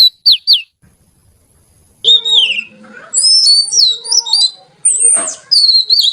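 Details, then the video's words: Oriental magpie-robin (kacer) in lively song. Three short whistles, a silent gap, then a dense, varied warble of trills, chattering notes and high thin whistles, with some lower rough tones mixed in. "Suara Kicau Kacer Gacor Merdu"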